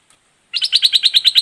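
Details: Red-whiskered bulbul, dok taeng song style: after half a second of silence, a rapid, evenly spaced run of bright chirping notes, about nine in one second.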